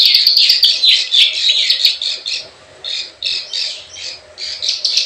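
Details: Prenjak sawah, the plain prinia, in klik klik ciwah lure calling: a loud opening run of harsh, squawky buzzy notes, then sparser rasping bursts with brief silent gaps between them.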